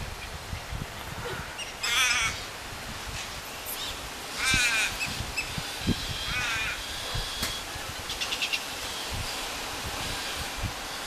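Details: Two galah chicks being fed by their mother, giving loud harsh rasping begging bursts around two, four and a half and six seconds, with fainter raspy calls between and a steady background hiss.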